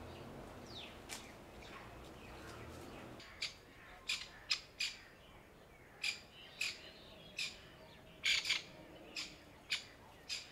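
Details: A camouflaged grey francolin hen alarmed for her helpless newborn chicks in dried summer leaf litter gives a series of brief harsh squawks, singly and in doubled bursts, roughly every half-second to second after a quieter opening.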